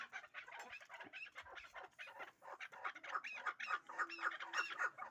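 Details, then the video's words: Hybrid fighting chukar partridges producing rapid repeated chuckling notes that become more ringing and rise in pitch toward the end, with a faint low hum in the background. "Кабки Гибриди чангӣ"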